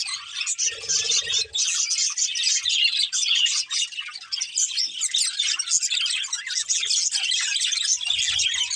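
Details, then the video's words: Breeding pair of budgerigars kept as pets, chirping: dense, continuous warbling chatter of rapid high twittering notes with scratchy buzzy elements, steady throughout, with a brief low murmur near the start. "Cute Budgies Chirping Sounds | Love Birds Breeding Pair"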